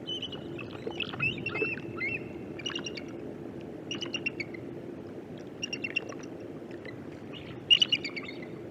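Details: Several eagles competing over a single bait on the Mississippi River, giving high, thin chittering calls in short repeated bursts, with a louder burst near the end over steady low background noise.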